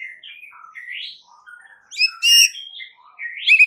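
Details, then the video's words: White-rumped shama masteran for provoking responses from other shamas: soft, meandering whistled phrases building into loud, ringing, buzzy high notes and a bright closing flourish. "7 DETIK AUTO RESPON MURAI BATU ANDA DENGAR MASTERAN MURAI BATU SATU INI"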